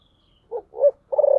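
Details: Spotted dove, thổ sấm voice: two quick low hoots, then a sustained, slightly pulsing coo, with a faint high whistle before them.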